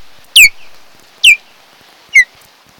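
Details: Osprey at its nest on Kent Island, Maryland, one of a mated pair back from wintering in Central and South America, filmed by a nest camera on 8 July 2018 in late morning; three sharp, high whistles, each slurring downward, spaced almost a second apart.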